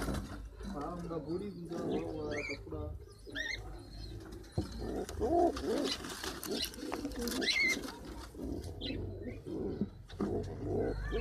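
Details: Pigeon parent in a home loft, angry when anyone touches its chicks; low, wavering coos swell and fall in short bursts, with human voices talking over much of the recording and a few higher chirps.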